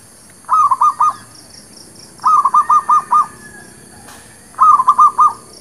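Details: Zebra dove song, a lure for trapping birds and for new birds. Three phrases of four to six crisp, staccato cooing notes; the middle phrase is longest. Faint high chirps run in the background.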